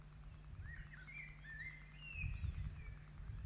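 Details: Osprey family at its nest in Poole Harbour, 8 June 2024, while the adults feed the young chicks dinner. Slurred whistled calls rise and fall in overlapping phrases, with low thumping handling noises and a steady hum beneath.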